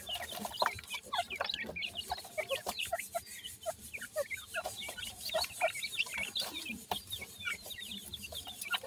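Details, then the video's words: Several young francolins feed and play at evening, giving a steady stream of brief high cheeps, some rising, some falling, under a constant hiss and frequent clicking pecks. "baby pheasants feed,and play in the evening,teter checks ki sound"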